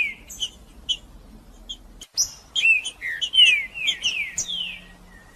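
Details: Green-winged saltator (trinca-ferro) singing in macheando style, played to heat up other males and get them singing: clear whistled notes, then a loud run of sliding, descending slurred whistles after a brief pause; quiet background.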